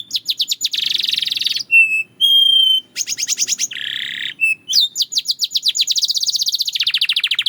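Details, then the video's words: Belgian canary singing: fast trills of sharp ticking notes alternate with buzzy rattles and two long level whistles, ending in a long even trill that slowly drops in pitch. "The Melody That Turns Any Canary Into a Singing Star!"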